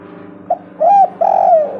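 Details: Spotted dove cooing on a recording meant to prompt reluctant doves to call: a soft short note, then a clear arched coo and a longer, level coo that fades at the end, with a faint low hum behind.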